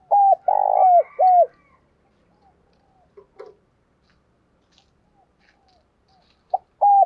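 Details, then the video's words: Decoy spotted dove cooing to attract wild doves. Loud, low coos open the recording: a short note, a long buzzy one and another short bent note. A quiet stretch with faint ticks follows, then the cooing resumes at the end. "Cu Gáy Mồi Thúc - Gáy Gọi Kích Bổi"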